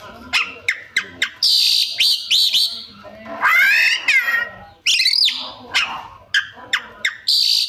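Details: Imitating magpie-robin mixing sharp clicks, buzzy high trills and a meow-like downward-curving wail, then more ticks and a final buzzy burst.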